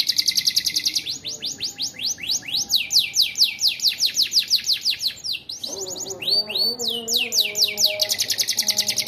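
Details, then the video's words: Canary song with a filling of ciblek (bar-winged prinia) phrases: loud, very high, rapid series of sharp downslurred chirps repeated in long fast trills, broken by a brief rattling buzzy passage before the trills resume. "BURUNG KENARI AF ADA ISIAN CIBLEKNYA"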